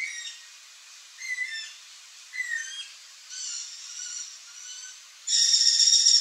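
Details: Wild yellow-headed caracara producing a series of thin, shrill whistled cries, several sliding downward, repeated about once a second, before a sudden loud burst of hissing noise takes over the final second.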